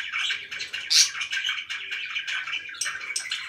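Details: Pet budgerigars chatter in a room, with high sharp squeaks rising above a constant mass of twittering, warbled notes.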